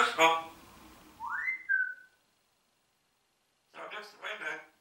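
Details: Talking parrot in a small indoor room, said to greet with "Hallo, Guten Morgen": a burst of speech-like chatter, then a clear whistle rising and levelling off, and after a silent gap two more speech-like phrases.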